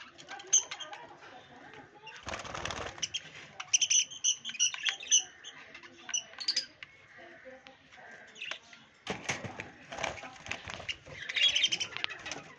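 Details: Pet budgerigars with newly hatched chicks give bright, high chirps and chattering notes, broken by bursts of flapping wings.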